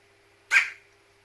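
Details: Captive Carrion crow sneezing after getting water in its nose while bathing, part of a long run of about twenty sneezes; one short explosive hissing burst, bright and noisy, fading within a fraction of a second over a faint steady indoor hum.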